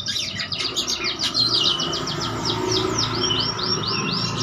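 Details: Oriental magpie-robin in vigorous song, full of varied phrases and seeking a rival: a rapid chatter of high notes, then a rhythmic series of clear down-slurred whistles about three per second, over steady background noise.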